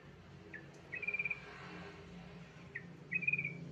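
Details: Yellow-vented bulbul song used as a lure to prompt other bulbuls to sing: two short bubbly, chattering phrases, faint and slightly rising, separated by about two seconds over a low background hum.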